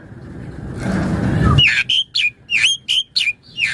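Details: Asian pied starling singing actively, used as a master song for training birds and luring other starlings. A rough burst of broadband noise opens, then a fast run of short whistled notes, each rising and dropping sharply.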